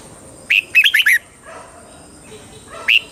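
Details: Red-whiskered bulbul singing a southern Thai style phrase meant to rouse caged birds and teach chicks: one sharp note, then a tight cluster of four warbled whistles, a pause, and another rising note.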